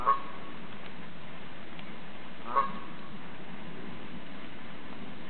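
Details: Tame female Canada goose that approaches its keeper as if telling its troubles; two short nasal honks about two and a half seconds apart over a steady low background rumble.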